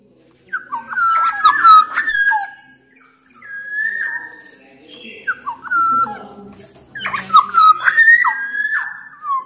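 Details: Black-naped orioles, Sumbawa type with Javan males and females, singing loud phrases meant to prompt other orioles. Three bursts of rich, fluty whistles with slurred drops and sharp clicks, at roughly regular intervals.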